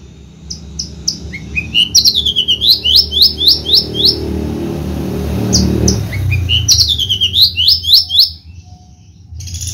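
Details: Horsfield's bushlark from Java, a competition bird with a varied repertoire, repeats quick upward-sweeping whistled notes in rhythmic runs, pauses amid low rumble, then resumes another series of rising sweeps.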